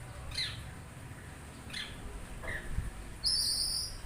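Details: Oriental magpie-robin giving a few short scratchy stuttered notes, then a long loud grating buzz at the end, over faint low background noise.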